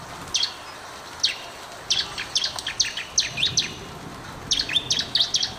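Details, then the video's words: Bar-winged prinia in lively song for prompting stuck or lazy birds to sing: scattered single high chips at first, building into quicker runs of sharp, bright notes near the end, over a quiet background. "masteran burung ciblek"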